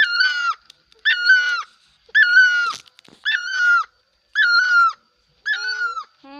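A bird gives six loud, nasal, harmonic-rich calls, each about half a second long and falling slightly at the end, repeated roughly once a second.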